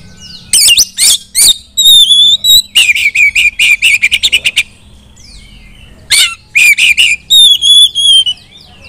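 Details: Female white-rumped shama song meant to make other shamas sing loudly; clear whistled notes mixed with rapid repeated sharp chips in quick series, then further sliding whistles, with a steady low hum beneath.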